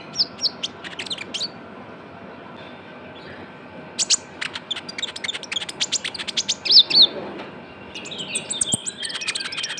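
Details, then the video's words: Lure sound of a chatty young Javan white-eye: scattered high chirps, then a lively burst of quick ticks and short downslurred whistles, ending in a bright twittering run. "PANCINGAN KONIN TROTOL GACOR"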